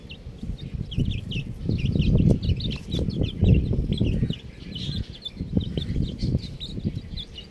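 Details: Buff chicks peeping in a dense, overlapping chorus of short, high, down-slurred chirps, with loud low thumps and rumbling handling noise beneath.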